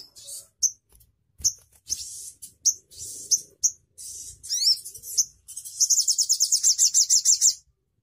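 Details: Crimson sunbird song meant to set other birds singing: thin, high chirps and short squeaky notes with pauses between them, then a rapid, even trill of sharp ticking notes lasting about two seconds before stopping.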